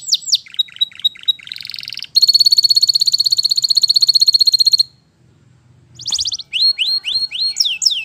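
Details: Wild canary singing: spaced high chips, a long, loud, metallic rolling trill lasting nearly three seconds, a silent pause, then a burst of swooping whistled notes.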